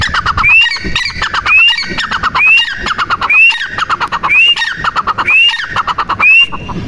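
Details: Steady series of loud rising whistled notes from a female teetar, or grey francolin. The notes fall close to once a second, each wrapped in coarse clicking chatter.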